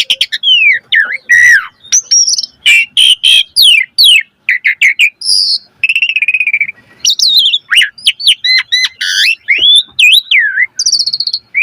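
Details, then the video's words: Energetic Asian pied starling song rich in varied filler phrases, meant to coax other starlings into song: a dense, nearly continuous run of bent whistles, rapid chirps and buzzy notes over about twelve seconds. "Suara Jalak Suren Gacor Full Isian Variasi"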